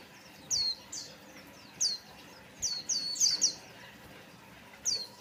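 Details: White-eye singing as a lure to prompt other birds to sing; thin, high, downslurred whistles in short bursts, a cluster of four quick notes in the middle and a lone note at the close, light background hiss.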